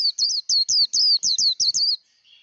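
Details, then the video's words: Song-training recording of a Japanese white-eye, a quick sequence of seven or eight bright, high warbled notes that stops abruptly, followed by near silence. "Vành khuyên líu đấu. kích lửa vành khuyên líu đấu"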